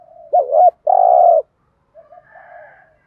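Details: Spotted dove's 'thúc gù' urging call for stimulating decoy doves: a quick up-down double note and a long throaty rolled coo, then quieter, softer trailing notes.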